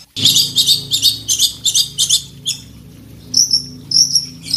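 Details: Combative long-tailed shrike in full voice, mimicking learned songs and challenging an opponent: a rapid run of scratchy, rasping high bursts, a brief lull, then piercing whistled notes repeated, with constant low mechanical hum beneath.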